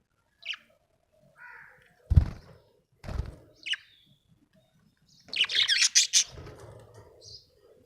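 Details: Happy budgie makes a few isolated short chirps amid soft thumps, then bursts into a dense, loud stretch of rapid high chirping and chatter.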